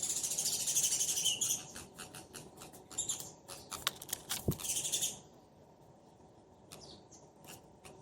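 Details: Sparrow pair calling to each other: dense bursts of high chirps and rapid clicks for five seconds, then quieter scattered chirps.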